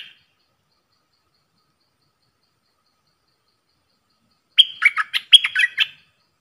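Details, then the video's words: Bulbul in a cage duelling in song with wild birds, 03/10/2564: long silence, then one lively phrase of rapid mixed whistles and chirps lasting just over a second, clear and loud. "เสียงนกกรงดอกแตงEp.82 ดวลเพลงกับนกป่า!!Birds sounds"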